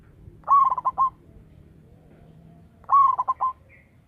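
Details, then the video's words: Local zebra dove used to lure other doves, calling loudly. Two rolling coo phrases come roughly two and a half seconds apart, each beginning with a rising note followed by quick tremulous pulses and a steady final note. A faint low hum runs underneath. "Perkutut lokal gacor suara besar - BIANG PEMIKAT"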